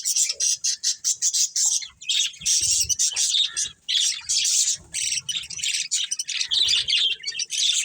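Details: Breeding pair of pet budgerigars in a colony, chirping: dense, continuous high scratchy warbling and chattering with rapid squawky bursts and almost no pauses.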